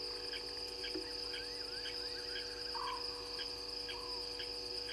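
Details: Scops owl calling at 00:16 beside the Gowrie dam waterhole, Djuma Game Reserve, Sabi Sand Wildtuin, South Africa: short low purring trills, two heard, set in a dense, steady shrill insect chorus with constant humming tones.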